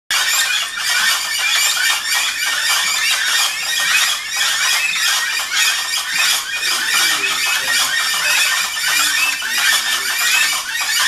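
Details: Gray-headed chachalacas (Ortalis cinereiceps) at Rancho Naturalista, Costa Rica, in a loud early-morning chorus: harsh, squealing and squawking calls from several birds overlapping without pause.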